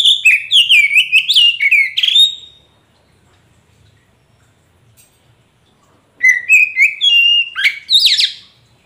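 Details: Kacer poci magpie robin lure song for a bird that has stopped singing: a rapid, tumbling series of whistles lasting about two seconds, a quiet gap, then another whistled run ending in sharp rising notes.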